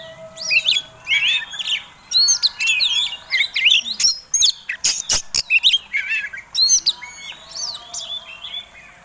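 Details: Oriental magpie-robin of the fighting contest type, singing a provoking lure song: rapid bursts of sweet whistled and slurred notes with sharp clicks, phrases coming in quick clusters with brief gaps between.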